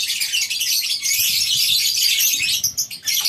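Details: Morning at a lovebird breeding farm with a colony aviary: a flock keeps up continuous high, sharp chattering and twittering, thick and unbroken, thinning slightly at the very end.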